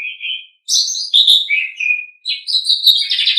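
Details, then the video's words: Asian pied starling song recorded from a pet bird as tutoring material: a low whistle, then a jumble of high, raspy, squeaky notes and a sliding whistle, ending in a dense, harsh chattering phrase. "Suara Burung Jalak Suren"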